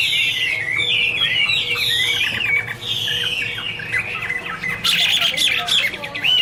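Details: Chinese hwamei delivering a loud melodious song, long slurred whistles sweeping downward in series, then a burst of rapid harsher notes and a final rising whistle.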